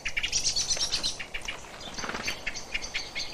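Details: Common blackbird alarm call, commonly used when going to roost: a rapid, sharp run of metallic chinks bunched in quick bursts, with a few faint notes from other birds behind.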